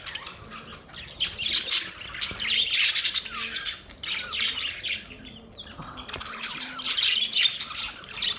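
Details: Budgerigars chirping in a busy chorus: dense, scratchy high chatter and squawks in bursts, fading briefly around the middle before swelling again.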